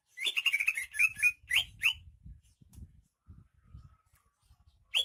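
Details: Lively greater green leafbird of Banyuwangi origin, said to be rare, sings a fast run of chirping whistled notes, then spaced downslurs, a quiet stretch with low rumbles, and one final note.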